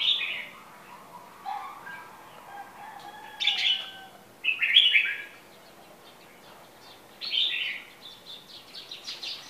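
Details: Red-whiskered bulbul of the Tây Trà type, a kept bird in moult about a month after being acquired, giving short bright chirpy bursts of notes separated by quiet gaps, with fainter lower twitters between them.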